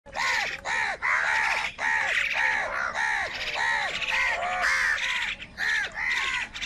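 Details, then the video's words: Crows fighting with wild birds for food on a rainy morning: a steady series of loud, harsh, hoarse caws, each arched in pitch, repeated roughly twice a second with brief gaps, and no other clear sounds. "Crow Fight with Wild Birds for Food in a Rainy Morning | কাকের ডাক Crow Sound Loudly"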